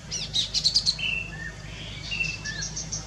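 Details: Chestnut-capped babbler: a quick cluster of high chattering notes, then spaced, level whistles and short downslurred notes at a lower pitch.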